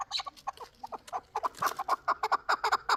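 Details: A young chukar partridge of the previous year's brood at Qavoq, Shurobod, its clucks starting scattered and soft, then quickening into a louder, regular chuk-chuk series.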